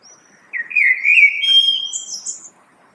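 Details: Common blackbird (Turdus merula), song.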